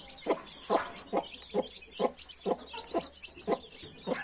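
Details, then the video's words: Hen guarding 31 newborn chicks, giving evenly spaced low clucks about twice a second, with soft high peeps of chicks in the background. "31 newborn cute chickens with mother hen"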